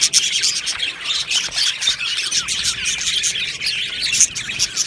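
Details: Many budgerigars chattering in an aviary on 22 June 2025, a steady stream of scratchy chirps and small slurred whistles, louder squawks breaking through now and then.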